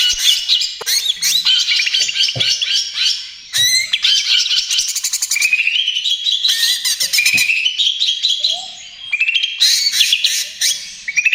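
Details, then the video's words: Energetic trotol song of a greater green leafbird, played as a lure and therapy for other birds. Long, varied phrases mix buzzy chatter, rising whistles and fast rattling trills with almost no pauses. "SUARA CUCAK IJO TROTOL GACOR, AMPUH UNTUK PANCINGAN DAN TERAPI"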